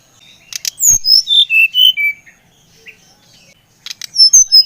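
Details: A brown-chested jungle flycatcher sings, used to prompt another bird's song: a falling run of bright whistled notes, a pause with a soft note, then another high descending phrase begins.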